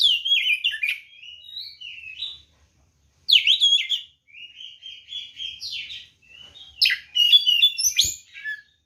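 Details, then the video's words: White-rumped shama fighting song used to provoke other birds: phrases of whistles and chatters every few seconds, longer warbled passages between loud bursts, a single click near the end. "SUARA BURUNG kacer gacor NGEPLONG TARUNG ini paling AMPUH buat PANCINGAN kacer NYAUT EMOSI"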